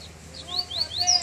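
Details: Caged double-collared seedeater just coming out of moult, singing on its first outing in cold weather: a string of clear, sweet whistled notes, each rising then falling, climbing higher toward the end.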